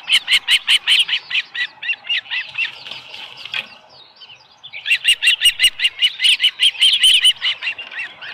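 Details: At a nest with a live fish, an Osprey gives loud, rhythmic high chirps in quick series, 13 July 2018, early morning; short pause in the middle, with sharp clicking or flapping sounds over some notes.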